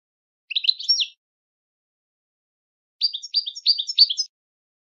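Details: Goldfinch song in two bursts: a brief jumbled twitter, a two-second pause, then a faster string of bright chirping notes repeated about three times a second, on a silent background.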